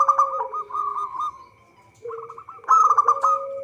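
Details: Zebra dove of a local strain singing vigorously, a recording suited as a trapping lure. Dense overlapping coo phrases sound together, with a lower drawn-out note beneath rapid staccato notes and a loud burst near the end.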